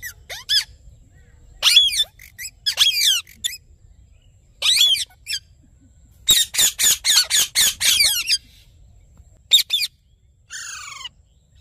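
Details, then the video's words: Rose-ringed parakeet with scattered bursts of shrill, raspy calls, then a rhythmic sequence of about eight quick squawks, and a final buzzy descending note. "Natural Parrot Sounds"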